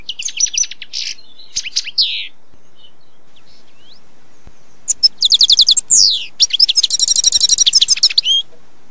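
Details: Carduelis carduelis, the European goldfinch, singing outdoors: a few twittering phrases, a quiet pause, then a dense burst of rapidly repeated metallic chirps and a fast rattling trill, over a faint steady background hiss.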